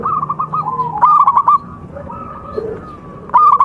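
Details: Local zebra dove singing for contest-training audio: a fast rattling series of clear coos, a quieter stretch with softer notes, then another short bright burst.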